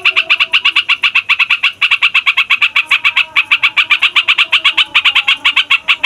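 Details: Rowdy fighter yellow-vented bulbul with a long roll, used to coax young or silent birds into song: over six seconds of rapid sharp chattering notes with a few short breaks, over faint background tones.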